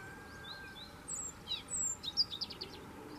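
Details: European robin of the Gran Canaria subspecies (Erithacus rubecula marionae), recorded in the midlands of Gran Canaria on 30 September 2017, sings a brief run of thin, very high, tinkling notes, some sliding and some clipped, over steady hiss.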